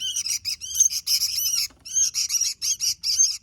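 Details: Sooty-headed bulbul singing vigorously, with loud dense chattering runs and a clear break near the middle before the bursts resume.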